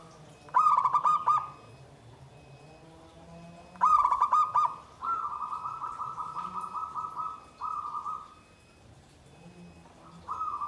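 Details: Zebra dove singing in the gendowo sabdo nggandem guaring style: two bursts of quick stuttered coos, each followed by a long level coo, repeated roughly every three seconds, with a faint low hum behind.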